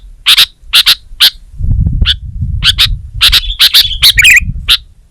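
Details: Kutilang, or Sooty-headed bulbul, singing energetically for Indonesian songbird training: spaced sharp chips, a brief warbled flourish near the end, with a soft low rumble in the background.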